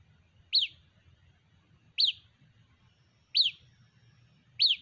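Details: White-breasted waterhen chick calling its mother: four sharp, high peeps that rise then drop, each about 1.4 seconds apart, over a soft low rumble.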